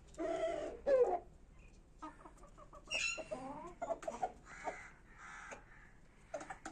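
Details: Kashmiri desi chicken pair in red jungle fowl colouring, making short harmonic clucks and a few drawn-out squawky notes, with scattered sharp knocks and rustling between calls.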